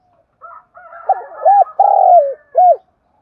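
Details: Spotted dove used as a lure to provoke wild birds. Quiet murmuring notes build into a clear coo sequence: two rounded coos, a sustained vibrating coo falling at the close, and a final short arched coo.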